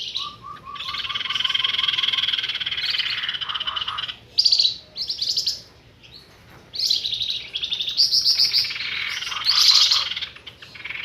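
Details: Trapping lure call of a flamboyan bird. Rapid low whistled notes lead into a long buzzy rattle, then irregular bursts of harsh, chattering buzzes with short pauses between them.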